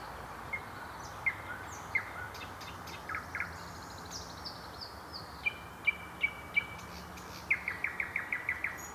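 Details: Evening or night song of a common nightingale near Moscow's MKAD in Mytishchi, Moscow Oblast, recorded with an old Sony DCR-DVD508E: scattered sharp notes build to a rapid rattle of about eight clicks, over steady background noise.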